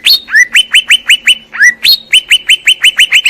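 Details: Greater green leafbird singing as a master recording: rapid bright notes that drop sharply in pitch, about four per second, broken by two longer swooping downslurred whistles.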